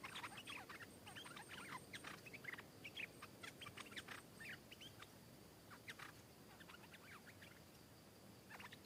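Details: Wild stripe-throated bulbul (Thai: nok dok taeng) in Thailand, arriving to counter-sing and fiercely attack another bird: busy bursts of short, bubbly chirps and slurred notes, phrases tumbling quickly one after another over a steady hiss.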